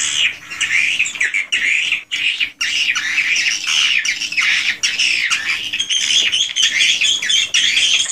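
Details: Original swiftlet house recording: crowded swiftlets give grating, buzzy chirps in surging bursts, with brief near-silent gaps and sharp clicks between the waves of calling.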